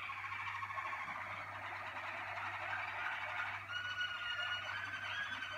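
A Malinois Waterslager canary sings low, bubbling, water-like rolls, then a clearer sustained whistled tone after about three and a half seconds, over a steady low hum.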